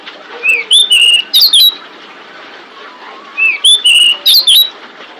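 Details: Pied bushchat female calling to lure males: two matching phrases about three seconds apart, each a rising whistle then several quick, bright slurred chirps, over a soft background hiss.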